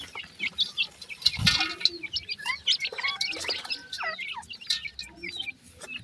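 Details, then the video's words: Baby pheasants eating new food, giving many quick high chirps and short rising peeps that overlap almost continuously, with one loud broad rustle near the start. "baby pheasant is very happy with the new food today,teter baby"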